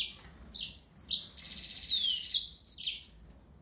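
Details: Yellow-fronted canary, Serinus mozambicus, singing a high, rapid phrase of sweeping whistles and buzzy trills, rising and falling, with a faint low background hum.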